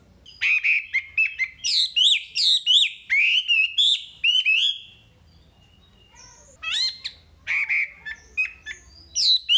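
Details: Wambi singing for song training: a long, varied series of sharp slurred whistles and chirps, a quiet gap of about two seconds, then more clipped, rising and falling phrases.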